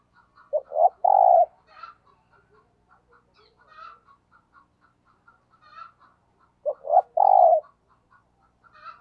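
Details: Thúc gù cooing by a decoy spotted dove: two quick short coos and a long rolling coo, repeated after several seconds, with scattered small-bird chirps and whistles between the phrases.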